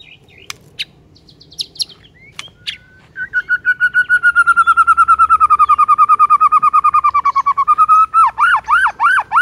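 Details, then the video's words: White-rumped shama morning song to provoke rival birds: after a few sharp clicks, a long steady run of fast repeated warbling notes, ending in looping whistled phrases. "HITUNGAN DETIK DI PAGI HARI BIKIN MURAI LAWAN AUTO NAIK EMOSI SEKETIKA"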